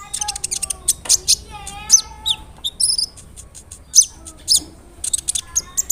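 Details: Lure song of a big-bodied brown-throated sunbird meant to rile other sunbirds: a varied jumble of high sharp chips, thin whistles and short descending trills, some softer lower whistled phrases mixed in.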